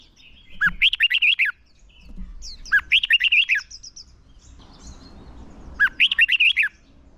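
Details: Red-whiskered bulbul used as a decoy singer to lure and train birds for singing contests, in a long twisting fighting-song style; three bursts of rapid, bubbly warbled phrases about a second long, each opening with a rising slur, separated by pauses.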